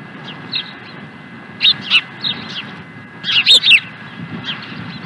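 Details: Afternoon calling from an osprey at Dunrovin Ranch, 16 April 2020: scattered high chirps build into a tight burst of four or five rapid, shrill whistled notes, then fade to softer chirps over a constant hum.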